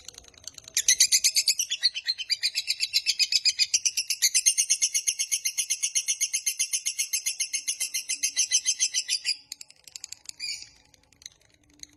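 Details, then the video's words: Lovebird giving a long ngekek panjang trill, used to lure and train other lovebirds: a fast, harsh, buzzy chatter of evenly pulsed notes running unbroken for about eight seconds, then breaking into a few scattered chips. "Suara MASTERAN Burung LOVEBIRD Ngekek Panjang"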